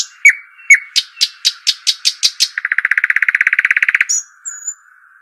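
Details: Arabian babbler, known as shuhaim or dakhal: two sharp chirps, a rhythmic series of harsh ticking notes, then a long rapid dry rattle lasting about two seconds, ending with faint whistles.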